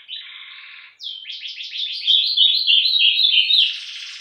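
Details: Azulão, the ultramarine grosbeak, delivering a Meia-noite song: a short buzzy burst, a pause, then a fast run of bright warbled notes that grows louder and ends in a harsh buzzy flourish.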